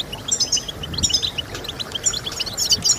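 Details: Song meant to encourage goldfinches to sing: clear separate chirps and short high whistled trills in quick bursts, with sharper upper notes standing out, over quiet background noise.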